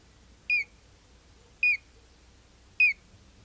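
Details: Collared crescentchest (Melanopareia torquata), call.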